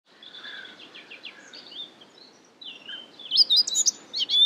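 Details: Eurasian blackcap (Sylvia a. atricapilla) at Marais d'Harchies marsh, Belgium, May 2017: a quiet run of scratchy twittering, then a burst of loud, clear, fluty whistled notes near the end.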